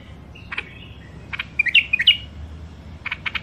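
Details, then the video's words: Caged wild songbirds from Mandali, Iraq, offered for sale: short sharp chirps, then a cluster of bright whistled notes that bend up and down, then a quick run of chirps. Low room hum underneath. "تغريد مخاليف وحشيه كاع منفذ مندلي"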